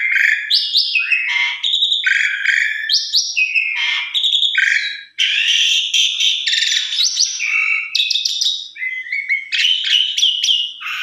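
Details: Javan pied starling, played as a lure to provoke a singing response: loud, varied song of harsh chattering bursts, buzzy notes and clear whistled phrases jumping between pitches, nearly continuous with one short pause midway.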